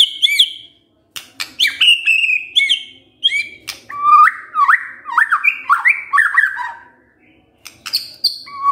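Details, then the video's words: White-rumped shama trigger song meant to make listening birds sing their repertoire: varied phrases of high whistles, sharp clicks and buzzy notes, then a run of looping slurred whistles, separated by brief pauses. "Pancingan Murai Batu Bongkar Isian"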